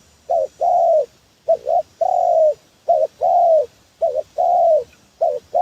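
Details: Repeated spotted dove lure call for trapping, each phrase a quick two-note coo leading into a long, mellow, gently falling coo, given in an even, rhythmic series.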